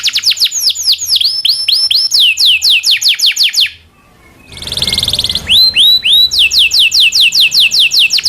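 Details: Domestic canary song meant as a training model: quick falling whistled trills, a short pause with a soft buzzy rattle, then rising upslurs leading back into steady repeated descending notes.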